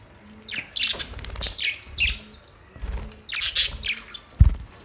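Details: Budgerigars chirping in bursts of bright, high, scratchy chatter separated by short pauses, with a low thump near the end.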